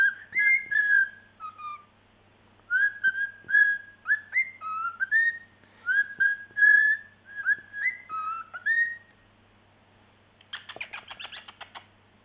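A cockatiel whistles clear, sliding notes in short repeated phrases, ending with a burst of harsh chatter.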